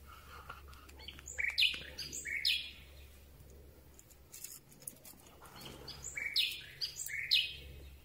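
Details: Common Nightingale in full song during the night, recorded very near the bird: two separate bursts of high, varied chirps and sliding notes with a short pause between them, and faint background hiss.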